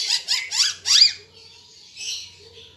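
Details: Ara Timor bird in full song for training caged birds: four loud, raspy, downward-sweeping notes in quick succession, then a softer, trailing high twitter.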